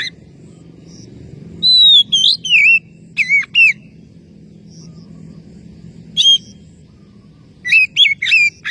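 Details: Oriental magpie-robin calling to a rival, giving scattered bursts of loud whistled, bending notes with a few sharp clicks between quiet gaps, against a steady low hum.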